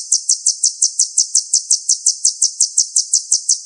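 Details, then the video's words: Kolibri ninja sunbird, a bird with a full song repertoire kept to tutor other songbirds, giving a steady, very high trill of evenly spaced sharp notes, about three per second, with no other sounds. "KOLIBRI NINJA MEWAH ISIAN LENGKAP COCOK JADI GURU VOKAL UNTUK BURUNG JAGOAN KALIAN"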